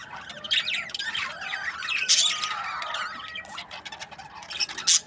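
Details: Breeding pairs of budgerigars in busy chatter: overlapping squawks, chirps and warbled notes, with harsh bursts near two seconds and again at the end, and a thin sustained whistle running through the middle.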